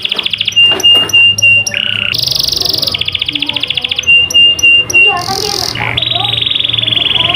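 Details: Canary delivering long sustained trills, each held a second or more and shifting between higher and lower pitches, joined by short chirps, over a faint low hum.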